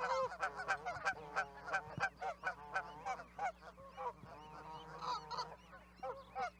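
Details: Canada goose flock calling: rapid bursts of harsh, overlapping honks in uneven pulses, some drawn-out nasal notes among them.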